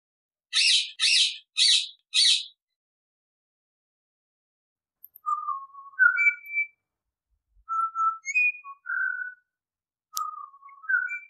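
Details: Four harsh, buzzy rasping calls in quick succession from a Pied Butcherbird, then a pause and a series of sweet, short whistled notes stepping up and down in loose phrases.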